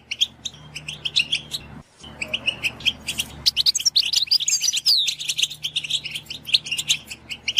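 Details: Goldfinch song played to train songbirds: a long stream of quick, bright twitters and chirps growing denser and louder after a short silence, over a steady low background hum.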